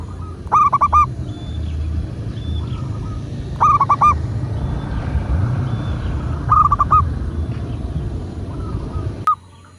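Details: Local zebra dove recorded as a lure to get doves singing: four brief phrases of quick cooing notes stand out above a loud, broad hiss of background noise.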